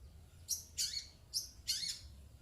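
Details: Long-tailed shrike kept as a pet, answering a cough, giving four loud, raspy, high squawks in two pairs within about two seconds, with faint low background hum.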